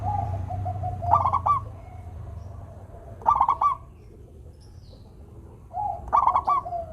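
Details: Local zebra dove song to encourage silent doves: three rattling coo bursts about two and a half seconds apart, each preceded by a soft low hum, with low rumbling noise beneath.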